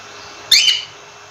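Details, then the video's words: A single abrupt, shrill chirp from a cockatiel, bright and slightly buzzy, lasting about a third of a second against a quiet steady hum. "Cocktail Bird Sound"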